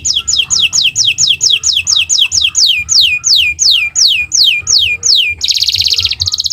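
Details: Owor-owor style canary song used to tutor caged birds: a steady series of clear downward-sweeping whistles, about three a second and gradually slowing, ending in a dense, buzzy high trill.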